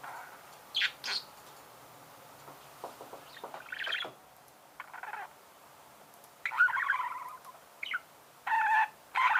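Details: Budgerigar warbling more sparsely and softly, with scattered squeaks and short rough chatter bursts, growing louder in the last few seconds.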